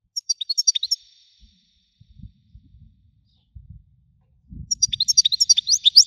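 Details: European goldfinch singing in the Widani style: two bursts of rapid, high, tinkling twittered notes with a short buzzy trill, separated by a quiet gap with faint low thumps.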